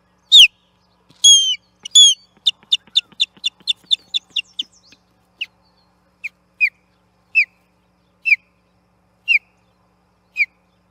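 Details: Osprey at the Charlo nest on 8 June 2021, fighting an intruder over the platform: three loud ringing whistles, then a fast series of piping chirps, slowing into single descending whistles about once a second.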